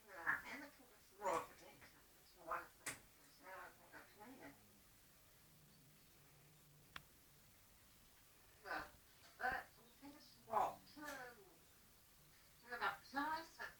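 An African grey parrot gives bursts of speech-like chatter and warbled phrases, with a sharp click and pauses between groups, in a quiet room.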